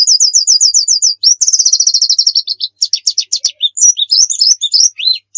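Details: White-eye in 'nembak' style song used for luring: a quick series of evenly repeated high notes, then a dense rattling trill, followed by varied thin twittering slurs rising and falling.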